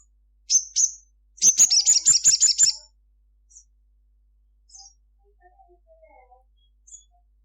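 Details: Crimson sunbird singing vigorously at midday: two sharp high chirps, then a fast run of about eight bright, buzzy high notes, followed by a few scattered faint chirps.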